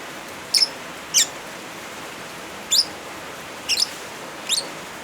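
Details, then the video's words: Lovebird chirps combined with rainfall, offered as a tutor track for silent birds: five isolated, sharp, high-pitched chirps spread across a few seconds against a constant hiss of rain. "Suara Original Lovebirds kombinasi suara hujan"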